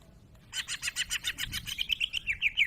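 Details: Greater green leafbird (cucak ijo) giving a rapid series of harsh, pulsed notes that speed up slightly and end in sharper chirps, with a low background rumble.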